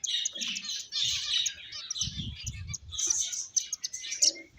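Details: Several finches chirping together, a dense overlapping chatter of high, short tweets and buzzy notes with brief low thumps in between.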